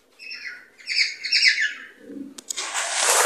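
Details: Cockatiels chirping, a sound used to stimulate mating and breeding: harmonic, slightly buzzy chirps in quick bursts, some slurred downward, followed by a loud burst of broad hissing noise.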